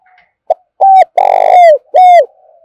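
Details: Spotted dove lure coo to excite other doves, Đồng Nai, Vietnam: a loud, rich phrase of a short hoot, an even note, a long buzzy coo sliding down, and a closing arched note, with soft notes before and after.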